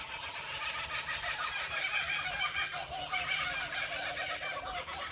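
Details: A family of laughing kookaburras in a backyard in Australia gives a loud, raucous cackling chorus that rolls and overlaps without a break for the whole stretch.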